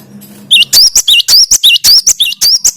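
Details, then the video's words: A loud, continuous series of sharp, high, hooked whistles from a Cinereous tit (gelatik batu) fills the whole recording. It is played as a lure to excite other birds, with a faint hum underneath. "Makin Edan gelatik batumu setelah dengan suara ini"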